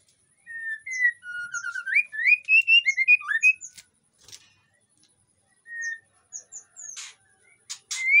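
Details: Aviary white-rumped shama in Indonesia, in breeding condition and singing to attract other shamas: a rich run of rising and falling whistles, then scattered short notes and a few dry clicks and rasps.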